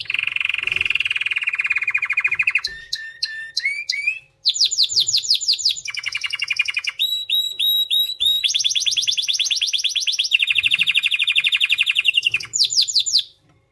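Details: White canary singing a continuous song of rapid repeated trills and rolls, changing phrase every one to two seconds, high and bright with buzzy and whistled sections, with a brief pause after four seconds.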